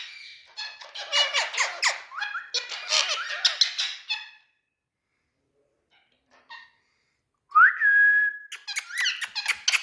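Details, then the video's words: Green parrot from India chattering in bursts of raspy squawks and squeaks, falling quiet for about three seconds, then a sharp rising whistle followed by more scratchy chatter. "Talking Parrots"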